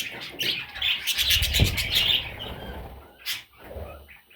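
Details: Young parrot chicks chirping in a rapid, high, scratchy series for about a second, with a sharp tap and low rumbling handling noise underneath, then a lone chirp near the end.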